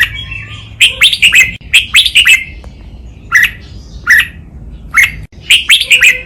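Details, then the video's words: Training recording of a red-whiskered bulbul singing a Thai-style double, counted-note master song known as lak wai: clustered quick warbled whistles alternating with isolated clear chirps over roughly six seconds, over a faint low background hum. "นกกรงหัวจุก | เสียงร้องเบิ้ล 2 นับดอก แม่บท ลากหวาย คมชัด ไว้ฝึกนก (เสียงฝึกร้อง)"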